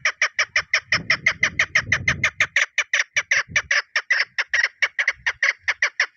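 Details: Female chukar partridge calling as a hunting lure: a fast, steady string of sharp clucking notes, about five per second, running without a break, with some low rumbling noise in the background early on.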